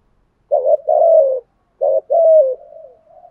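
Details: Spotted dove giving a thúc gù cooing style used as a decoy to lure wild doves: two low mellow phrases, each a short wavering note followed by a longer, slightly falling coo, then a faint trailing hum.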